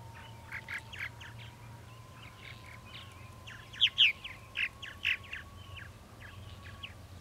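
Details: Purple martins calling at a nesting colony, a steady stream of short chirps and croaks, a few louder swept notes near the middle, with a faint continuous hum underneath.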